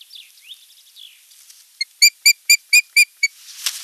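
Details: Osprey at the nest on 8 June 2023, visiting its mate: soft wavering whistles lead into a run of seven loud, evenly spaced piping whistles, about four per second, then a burst of rustling noise.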